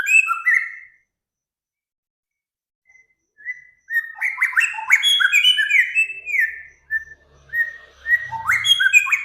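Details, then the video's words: A bird sings a master song meant for teaching cage birds. A short whistled burst comes first, then a long pause and a fast jumble of sliding, chattering whistles. A soft low thump is heard near the end. "Burung Samyong, Kancilan Flores, Garugiwa Gacor"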